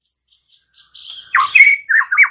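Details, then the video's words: White-rumped shama song used to provoke other shamas into singing. Soft high notes lead into louder whistled phrases with sharp downward slurs and short warbles near the end. "Suara kayak gini MALAH AMPUH Memancing Murai batu agar GACOR dan NGEPLONG"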